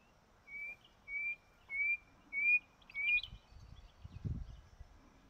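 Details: Male Painted bush quail calling from a vantage point to attract females: five clear, slightly rising whistled notes about half a second apart, followed by soft low rustling and thumps.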